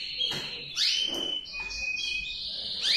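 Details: Short stretch of male canary song: a sustained high whistle with upward-swooping notes and a soft rattling trill underneath, ending on another rising sweep.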